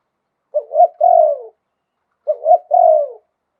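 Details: Zebra dove delivering a melodious 'khan yon' song, wild-style voice: two phrases of a short note, a rising coo and a drawn-out falling trill, roughly two seconds apart, quiet surroundings.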